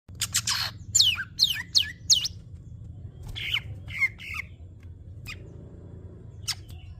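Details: Greater green leafbird singing: a varied mix of sharp high squawks, quick downward-sweeping whistles and short buzzy phrases, delivered in irregular bursts over a low background rumble.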